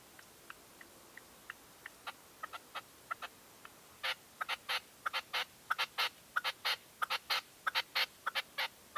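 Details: Caged decoy red-legged partridge at a dawn hunting stand, 2023: sparse soft clicks build after four seconds into a dense run of loud, rasping chuck notes repeated about every half second.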